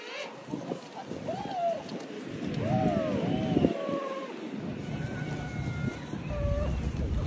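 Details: King penguins at Salisbury Plain, South Georgia, give arching, harmonic trumpeting notes that rise and fall, with several birds overlapping over heavy wind rumble and colony noise.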